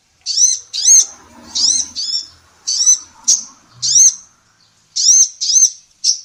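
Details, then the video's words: Singing female kolibri ninja sunbird, used as a training recording for cage songbirds: a steady series of high, bright, arched chirps about once a second, with faint low murmuring in the background. "SUARA BURUNG KOLIBRI NINJA BETINA GACOR"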